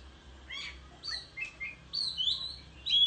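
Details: Oriental magpie-robin singing in a countryside singing contest with tail-fanning display; a few separate clear whistles, some sliding upward or downward, spaced about half a second apart over a low background hum.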